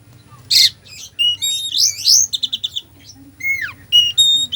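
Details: Oriental magpie-robin delivering a dense mimicry-filled song to rouse a slow bird: a harsh burst, tumbling warbled phrases, a rapid series of clipped notes, then a downward-sliding whistle and clear level whistles.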